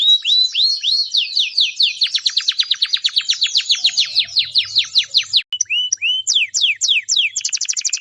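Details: Canary song: sweeping whistled slurs speed up into a long rolling trill of quick downward notes, then a brief break and varied higher trills and chirps.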